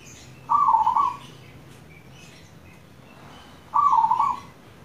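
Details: Two purring, quickly pulsed coos about three seconds apart from a keen local zebra dove, its song used as a lure to set other doves singing; faint chirps from other birds.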